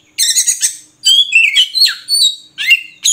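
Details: Oriental magpie-robin (murai kampung) song: a dense harsh chatter opening, then a series of loud varied whistles sliding up and down, each phrase about half a second, with short pauses between.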